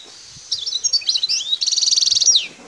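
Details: Wild Algerian European goldfinch at Bouthelja, El Tarf sector, Algeria: twittering, slurred high notes build into an even, rapid trill that finishes with a sharp descending sweep.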